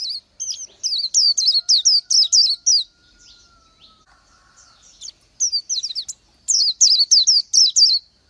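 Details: Singing Oriental white-eye: two bursts of rapid, high, thin twittering notes, each a short wavering slur, separated by a quiet gap of about two seconds with a faint low hum behind.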